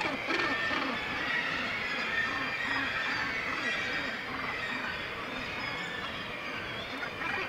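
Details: Massed Northern gannets calling at one of the world's northernmost colonies, Syltefjordstauran sea cliff, Varanger, Norway. A thick, even wall of hoarse, overlapping cries.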